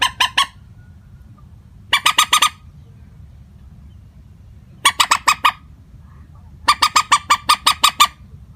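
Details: Lure call of a common moorhen for bird trapping, steady in pitch: four bursts of rapid, nasal, stacked clucks, three to seven notes per burst, with long quiet gaps and low background hum.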